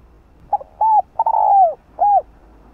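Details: Spotted dove song used to provoke a caged dove to answer: a clipped introductory note, then three mellow coos, the middle one long and sagging downward, over faint low background hum.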